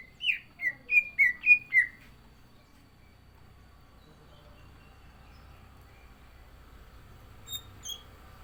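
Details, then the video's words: Green leafbird in contest condition with a filled-in song: six quick whistled notes, each dipping and rising, delivered in under two seconds, then long quiet and two faint high notes near the end. "CUCAK IJO GACOR ISIAN"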